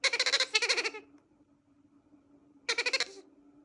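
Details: Baby bronze-winged pionus parrot begging: two harsh, rapidly pulsed rasping bursts in the first second, a quiet pause, then another buzzy pulsed burst near the end.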